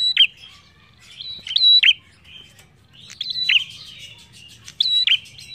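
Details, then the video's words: Energetic prinia (prenjak) song used to coax other birds into singing: bright high whistled phrases with abrupt dropping end-notes, four bursts in under six seconds, with scattered softer chips between. "PRENJAK GACOR ENAK BUAT PANCINGAN BUNYI"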